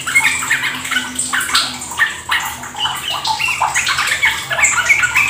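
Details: Sooty-headed bulbul (trucuk) lure recording for prompting kept birds into rapid ropel singing; busy bubbly chattering and warbled notes overlap continuously, with a steady wash of trickling water behind.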